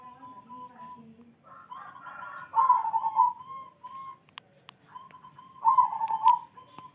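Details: Morning song of a zebra dove: a low hum and murmur lead into purring, rippling coo phrases, each a fast trill falling away to a held tone, repeated about every three seconds, with scattered clicks and a brief high chirp.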